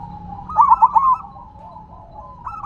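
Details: A silver zebra dove sitting on the ground delivers one short, bright phrase of four quick bubbling coo notes, then softer cooing trails off and a new phrase begins at the end.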